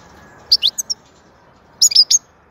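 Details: Soothing song of a European goldfinch: two quick clusters of high, bright chirps and tweets, each a rapid run of four or five notes about a second apart, over a quiet low background.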